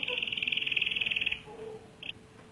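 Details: Canary in full voice delivering a long rolling song: a rapid, even trill of pulsed notes held for over a second, then a pause and one short high note.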